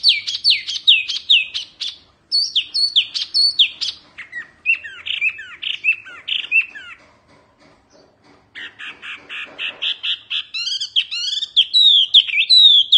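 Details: A fierce mini wambi Oriental white-eye sings for tutoring: dense high twittering bursts, a short pause, then buzzy rapid notes building into fast slurred chirps.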